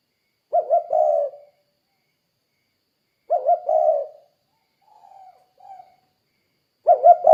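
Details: Spotted dove calling to lure other doves: three double-then-long coo phrases, with two faint, soft, muffled coos heard between the second and third phrase.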